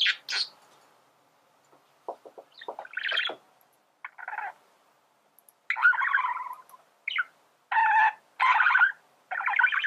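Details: Male budgerigar singing, used for teaching birds to sing; scattered clicks and brief squeaks give way to louder buzzy, grating chatter phrases in the second half.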